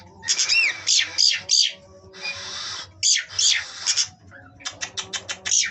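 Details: Oriental magpie-robins kept at a breeding farm in Kroya village give loud, scratchy buzzing calls in clusters, with a few looping whistled notes, a drawn-out hiss in the middle, and a quick series of sharp chips near the end.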